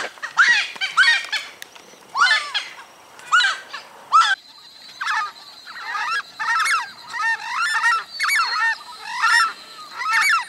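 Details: Southern screamers (chajá) crying close by in a wetland in Santa Fe, Argentina, 2020, after others heard far off: loud harsh honking calls in rapid overlapping bursts, several birds, with a steady high insect-like whine behind.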